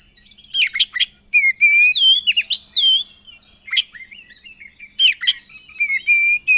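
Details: Oriental magpie-robin (kacer) in full 'gacor' song with 'isian' fill-in phrases, played to stir other kacer into singing: loud rising whistles, steep downslurred notes and sharp bursts, ending in a held, slightly rising high whistle.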